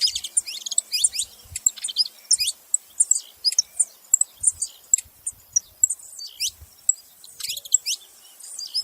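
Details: Saffron finch giving scattered bursts of high, thin, downslurred chirps and twittering, with short gaps between clusters and faint low knocks beneath.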